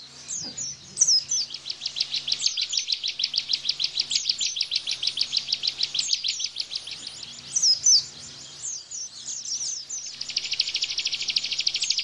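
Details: Bar-winged prinia 'tembakan' song in energetic style for tutoring cage-bird white-eyes: long chains of quick, high, even chips with occasional squeaky flourishes, ending in a dense buzzing trill, a low steady hum underneath.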